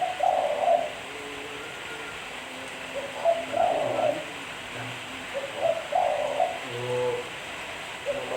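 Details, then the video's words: A spotted dove sings a lure song, with four mellow cooing phrases spread evenly about every two seconds. Each is a short run of low, rolling hoots. Faint steady hiss lies behind. "Suara Burung Tekukur Bersih-Suara Burung Tekukur Buat Pancingan"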